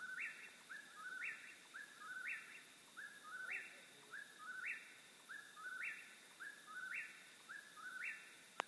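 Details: Eastern whip-poor-will calling: a whistled three-part phrase, a low slurred start then a sharp upward snap, repeated steadily about once a second, roughly eight times, over a constant high background hiss.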